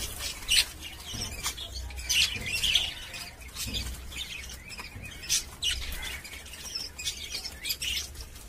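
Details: Caged budgerigars give short squeaky chirps amid many sharp clicks and rustles, bursts recurring every second or so.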